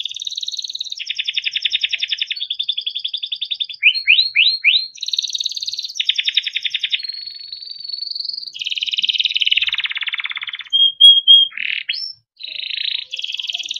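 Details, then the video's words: Timbrado canary singing melodic training song: a long chain of dense, even trills at changing pitches, interrupted by a few quick rising sweeps and brief whistled notes, with almost no pauses. "Timbrado canary singing beautiful melodic songs for training and listening"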